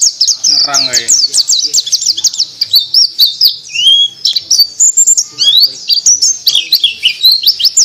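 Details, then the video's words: White-eye in ngriwik song: rapid high twittering notes, a brief lower rasping burst near the first second, then varied quick whistled chirps and slurred phrases continuing to the end. "Pleci Durasi"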